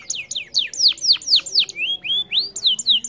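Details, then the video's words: Loud, clear canary song for coaxing a bird that will not sing: sharply falling whistled notes, then a few rising slurs and more quick downward whistles. "PANCING KENARI MALAS BUNYI DENGAN INI"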